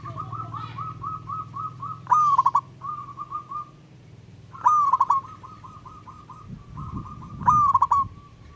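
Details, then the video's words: Native wild-strain zebra dove singing to summon a rival: three stuttering coo phrases about two and a half seconds apart, with a steady series of soft repeated mid-pitched notes between them and a low hum underneath. "Burung Perkutut LOKAL Alam Ngayer Memanggil Lawan Ikutan Manggung Gacor"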